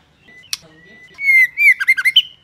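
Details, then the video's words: Female white-rumped shama calling to stimulate males to sing: a thin high note and a sharp click, then loud clear whistles that slide upward into quick bouncing, warbled notes before ending on a high whistle. "Chòe lửa mái kích bổi lên lửa cực sung/kích trống sung mãn hót cả ngày"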